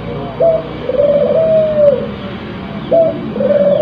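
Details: Cooing of a crossbred spotted dove in breeding condition: two phrases, each a brief higher note, then a drawn-out steady coo that droops at the end, over a quiet room hum.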